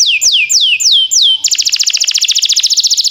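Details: Training song of a timbrado canary: four drawn-out falling whistles, then a rapid, even trill of short notes about eight per second.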